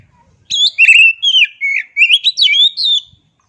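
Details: Loud song of an oriental magpie-robin in a tutor recording for caged birds: a continuous phrase of sweet, slurred whistles rising and falling for about two and a half seconds, with no other sounds.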